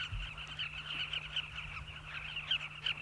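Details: Southern carmine bee-eaters at a riverbank breeding colony, migrants nesting in banks of the river, South Luangwa National Park, Zambia; a dense chorus of many rolling, throaty calls overlapping continuously, with a steady low electrical hum underneath.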